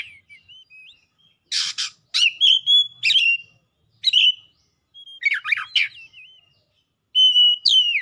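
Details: Excited white-rumped shama delivering loud song, harsh buzzy blasts alternating with ringing whistles and fast chattering runs, ending on a long descending whistle.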